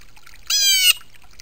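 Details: A single loud, harsh Blue Jay scream while bathing, about half a second long, nasal and rich in overtones, holding a steady pitch over faint background hiss; it seems to yell "don't come near me".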